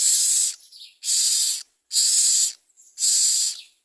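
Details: Common myna young fed by parent birds, producing loud harsh hissing rasps, four bursts of about half a second each, evenly spaced around once per second.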